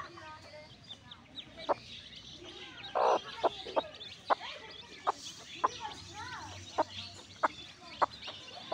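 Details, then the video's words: Newborn backyard chicks in a free-range setting: thin, high peeping chirps scattered throughout, punctuated by sharp, low clucks about every half second, with one louder burst near the three-second mark. "New Born Baby Chicks Video | Baby Video | Chicks Sound"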